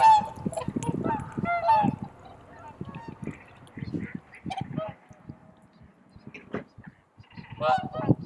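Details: Flock of swans greeting the blue-hour dawn on Kotoku marsh in Japan, captured with an in-camera microphone: bursts of honking calls at the start and end, with wind rumble and nearby photographers' voices in between.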